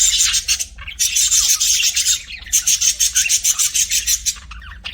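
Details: Chattering of pet budgies in three long bursts of rapid, buzzy, high pulsed notes, each burst about a second or more, separated by short lulls, over a soft low background hum.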